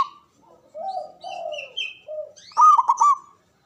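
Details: Local Javanese zebra dove with a loud, full voice, singing to provoke rival doves into replying. Soft drawn-out lower notes lead into one loud, rapid, stuttering burst of coos near the end.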